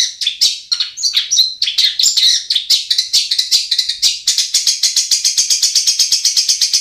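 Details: Lure recording of a long-tailed shrike for coaxing quiet birds into song: varied whistles and mimicked-sounding phrases give way to a fast, steady train of harsh high chattering notes.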